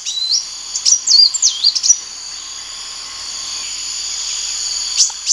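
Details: Sunbird producing a short flurry of high, wavering, swooping notes in the first two seconds, then mostly a steady shrill hum with a single brief note near the end.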